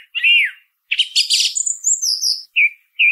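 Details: Song thrush singing: a rich slurred whistle, then a dense scratchy twittering burst with thin high squeaks, closing with two short repeated whistled notes.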